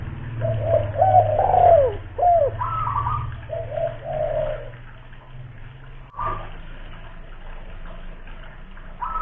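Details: Kuningan, West Java spotted dove, a loud-voiced local lure bird, gives a run of curved coo notes and longer hoots over a low droning background, then falls mostly quiet with a few faint coos.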